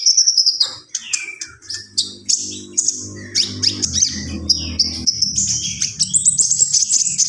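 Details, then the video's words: Common iora singing gacor-style: a loud, busy run of high chattering and whistled notes, sharp chips and short trills tumbling without pause, with a faint low hum underneath. "SUARA BURUNG KONIN GACOR"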